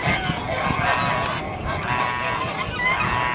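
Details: Two-year-old white Kholmogory gander on a farm, calling in a steady, nasal, harmonic honking that holds at an even loudness for a few seconds, with some farmyard background noise.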